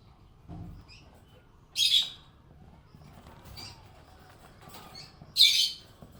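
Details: Happy budgie producing two separate harsh, high chirps several seconds apart, with faint soft chatter and a low bump at the start.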